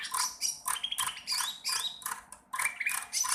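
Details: Sooty-headed bulbul learning its song, giving rough, scratchy phrases with a few thin rising whistles in between, uneven and halting.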